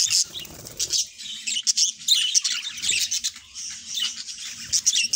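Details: Two pet budgerigars kept indoors, singing and talking: scratchy, squeaky chirps and warbles high in pitch, broken into short bursts with brief pauses, some tones rising and falling in quick succession.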